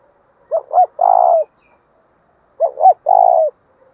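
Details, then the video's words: Spotted dove decoy bird cooing to provoke rivals: two phrases, each two short bent hoots followed by a longer, steady, slightly buzzy coo, separated by about two seconds of silence. "cu gay kich boi nhanh noi gù"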